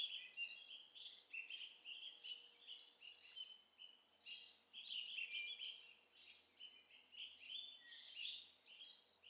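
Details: Male and female orange-bellied leafbirds feeding on kapok (tree cotton) flower nectar in Hong Kong: a steady stream of bright, high chirps and short twittering phrases, overlapping almost without pause, over faint background noise.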